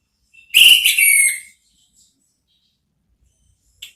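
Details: Orange-headed thrush 'ngeplong' song used to lure another thrush into answering; one loud, sharp, high whistled phrase with a descending tail, then near silence and a short faint note at the end.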